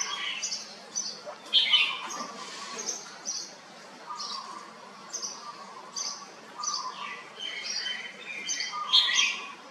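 Red-whiskered bulbul song: bright, chirpy phrases and short squawky notes repeated every second or so, with several birds calling over one another.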